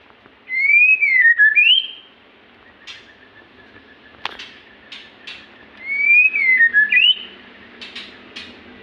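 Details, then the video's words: Magpie-robin giving two bold whistled phrases several seconds apart, each a rising then falling slurred whistle ending in an upward flick, with faint clicks and sharp ticks between phrases. "burung murai gacor"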